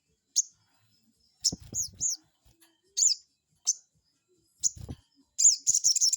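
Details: Crested jay calls used as a lure to provoke a rival: spaced, sharp, high downslurred notes about once per second, ending in a quick burst of rattling notes, with a few soft low thuds.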